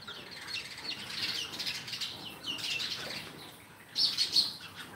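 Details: Sparrows chirping steadily, a run of high scratchy notes followed by a louder, sharper burst of chirps near the end over soft background noise.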